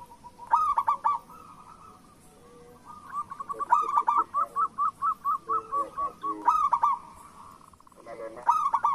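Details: Vigorous local zebra dove song meant to prompt reluctant doves: loud rolling coo phrases near the start and end, with a long middle run of evenly spaced, repeated coo notes.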